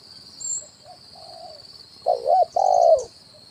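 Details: Spotted dove decoy call, kuk 1 style, to attract wild birds: faint soft coos first, then a loud wavering coo and long falling hoot, with a high electronic whine throughout.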